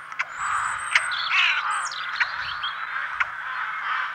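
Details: In France, rooks give a dense chorus of harsh, grating caws and croaks, many birds overlapping continuously, with a few sharper higher notes breaking through.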